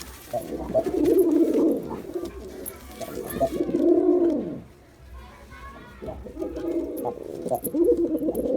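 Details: Male Girabaj pigeon performing, a domestic breed: deep, throaty rolling coos with a rising-and-falling swell, several bouts with a short pause midway, in a small enclosed space.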